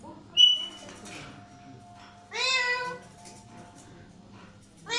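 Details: Alexandrine parakeet giving a drawn-out, harmonic-rich call that rises slightly then falls, with one brief sharp note before it and another call starting at the end, over low background hum.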